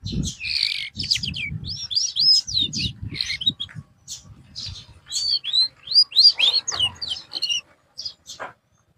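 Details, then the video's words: Canary song used as therapy after a bird has gone off form: a dense, fast, varied stream of high chirps, sweeping whistles and short trills, with quiet low rumbling underneath and a brief pause near the end. "TERAPI BURUNG KENARI SETELAH AMBROL"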